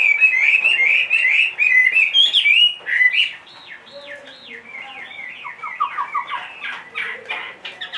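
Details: Caged Chinese hwamei, two and a half years old and large-bodied, described as singing in any setting: loud, rich whistled phrases wavering around a steady pitch. These give way to a string of looping, swooping notes that grow quieter toward the end.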